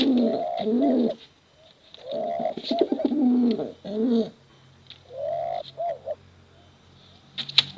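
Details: Cooing male and female pigeons, recorded for contest use and luring young birds; throaty rolling coos in bursts, a pause, then a few swooping hoots and a faint low hum.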